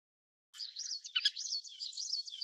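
Little curlew: a quick, high twittering of warbled chirps that runs on for two seconds after a brief silence, with no other sounds.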